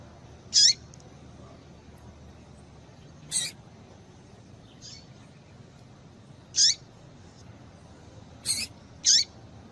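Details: Female yellow-bellied seedeater call, meant to get males singing: five brief, very high, thin chirps at irregular intervals of one to three seconds over faint background hiss.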